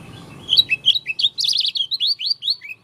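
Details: Oriental white-eye of the dakun type from Lombok giving an unusual song: a fast, high, twittering run of rising and falling whistled notes, densest in the middle and ending with separate slurred chirps.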